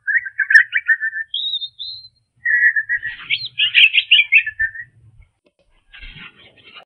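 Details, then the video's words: European robin singing, slowed to half speed, with a chaffinch joining in: warbled phrases and sustained high whistled notes separated by brief pauses, with modulated trills clearly drawn out. "Robin Songtime"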